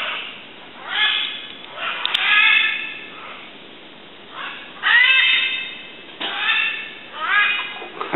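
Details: Recently released Great Green Macaw, hand-raised, chasing an aracari and then a grey hawk in its new surroundings; loud harsh raspy squawks in bursts of one to two seconds, several repeated with pauses between.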